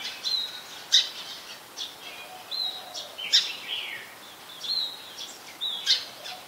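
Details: Brown-throated sunbird, Ubon Ratchathani, Thailand, 15 January 2021, Nikon P1000: high, piercing chip notes with short downslurred trills, roughly every second or two, set against gentle outdoor noise.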